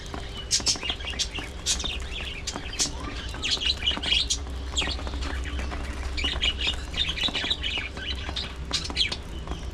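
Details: Budgerigars in a breeding colony aviary: dense, overlapping high chirps and squeaky warbles from many birds, nearly continuous over ten seconds, with a steady low hum beneath.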